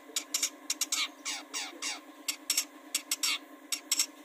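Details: Harsh, rasping long-tailed shrike phrases, used to coax birds into song, come as dense scratchy downslurred notes and short sharp bursts in uneven succession over a faint hum.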